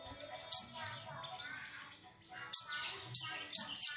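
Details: Lure recording of a lively sunbird meant to agitate rival birds: a lone shrill high burst, a quiet pause with soft faint chatter, then three more sharp piercing bursts in quick succession.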